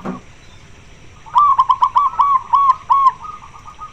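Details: A local zebra dove with a loud, full voice, eager to mate and calling to a male, gives a fast series of about eight mellow, rolling coos, each rising then dipping, after a short pause.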